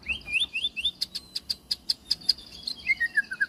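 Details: White-rumped shama (murai batu) singing a full, varied song: rising whistled slurs, then a rapid train of sharp metallic ticks about five per second, ending in a falling series of clear whistles.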